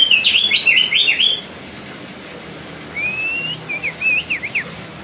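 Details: Loud tutor song of the White-bellied bushchat, known locally as Decu Timor: a quick run of sharp zigzag whistles, silence, then a long rising whistle and several short wavering notes.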